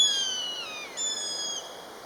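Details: A common buzzard pair calling to each other, peee peee: two clear, mewing, downward-sliding whistles with stacked harmonics, the first falling for almost a second, the second shorter and starting higher, over quiet open-air background.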